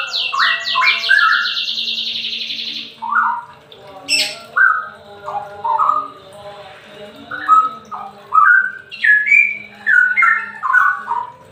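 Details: Straw-headed bulbul singing in semi ropel style, played to lure and stimulate lazy birds into singing; a fast high trill opens, then rich, liquid warbled phrases of rising and falling notes follow at an uneven pace.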